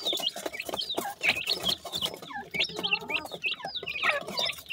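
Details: Newly hatched grey francolin chicks calling mother: rapid high cheeps and thin squeaky peeps from several chicks, with a few lower, fuller-toned calls breaking in near the middle.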